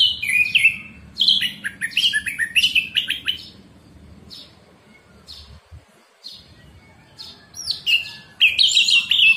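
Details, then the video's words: Orange-headed thrush song for morning therapy of caged birds: a run of varied whistled and chattering phrases, loud early then sparser, rising again at the end, over a low steady background hum. "terapi Anis merah ngeplong pagi pancingan anis merah macet bunyi masteran anis merah cepat bunyi"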